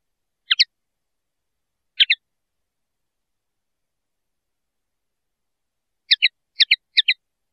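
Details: Common linnet song fragments: short, sharp double notes given in pairs, with a long pause and then a quicker cluster of three paired chirps near the end, against a silent background.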